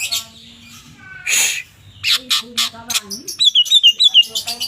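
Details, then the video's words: Greater green leafbirds, a group of twelve, chattering loudly: a harsh rasping squawk, then choppy short calls, ending in a quick series of wavering high whistled notes with faint low tonal sounds underneath. "12 BURUNG CUCAK IJO 🐦🐦🐦 CEREWET DAN GACOR"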